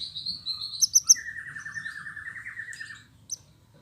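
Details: Canary song used as a lure to stimulate canaries that have stopped singing: a high rattling trill sliding through the middle register, a few sharp chips above, then brief scattered notes and near silence.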